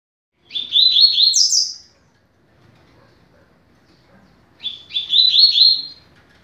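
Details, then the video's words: Double-collared seedeater song used to teach young birds, a fast 'rápido de bico' style: two quick, buzzy phrases of stepped notes climbing to a high sharp flourish, separated by about three seconds of quiet. "Canto para Ensinar Passarinho - Coleiro"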